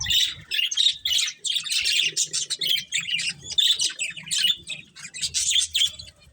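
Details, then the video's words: Pet budgerigars, a breeding pair, chirping in short repeated bursts of bright, grating twitter, roughly two per second, with faint low hum in the background. "Cute Budgies Chirping Sounds | Love Birds Breeding Pair"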